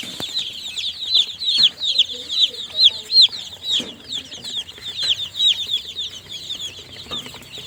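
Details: Baby chicks, newly hatched, calling in bright high peeps, a clear run of evenly spaced downslurred chirps early on, then a looser overlapping chorus with a few soft thumps.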